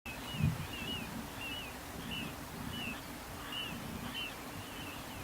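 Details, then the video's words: Little ringed plovers (Charadrius dubius) along a river on 3 May 2015, 2–4 birds circling while calling, possibly seeking a nest site: short clear down-slurred whistled 'pee-oo' notes about every 0.7 seconds, over low wind or traffic rumble. "コチドリ "Charadrius dubius" の鳴き声"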